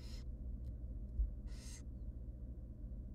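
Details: Wild barn owl chicks, three tiny nestlings fed by their mother inside a research nest box, give short breathy hissing screeches, two main bursts with a faint trace between, against low mechanical hum.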